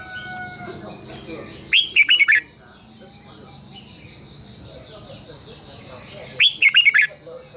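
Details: Red-whiskered bulbul morning song, a decoy for stimulating caged birds to sing, long twisted double voice: two short warbled phrases of rapid slurred notes about four seconds apart, between them only a steady pulsing high hum.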